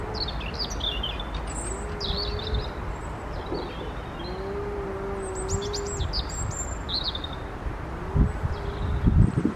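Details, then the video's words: European robin singing in cold wind on 4 April 2023, giving thin, high, tumbling phrases in short bursts; steady wind roars underneath, with long low moaning tones and a few thumps. "Koncert Rudzika"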